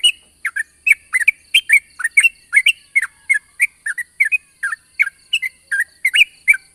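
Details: Long 'ropel' morning song of a yellow-vented bulbul, a lure for other bulbuls. Rhythmic, rapid, liquid chirps repeated without pause.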